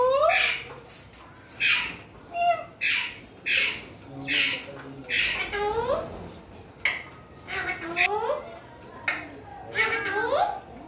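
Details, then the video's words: Ringneck parakeet kept as a pet, calling with a steady run of raspy, grating squawks roughly every second, some with a bent, wavering tone, indoors. "Ringneck parrots videos 🦜🦜 cute my parrot voice in urdu hindi"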